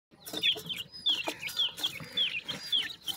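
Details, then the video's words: Newly hatched black partridge chicks calling: high, thin peeps that slur downward, given about every half second in a steady series, with soft ticking and rustling underneath. "beautiful new jora partridge chicks,teeter bird ki voices"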